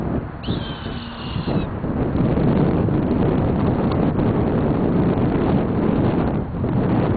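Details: A Red-tailed hawk calling on the Alberta prairie gives one thin, high, slightly falling scream lasting about a second, then heavy wind rumble fills the rest.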